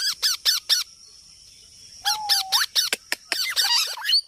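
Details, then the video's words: Parrot producing repeated short raspy squawks, then a long level whistle that rises sharply at the end, followed by more clipped squawks and chatter. "Parrot Sound"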